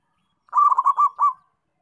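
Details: Local zebra dove singing actively: a single burst of five quick, soft, hollow cooing notes run together, lasting about a second, in otherwise quiet surroundings.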